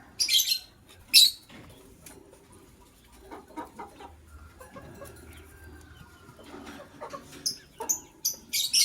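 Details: Morning sounds from a matched pair of white lovebirds: sharp, piercing chirps at the start and close, with soft scattered twittering and faint rustling in between.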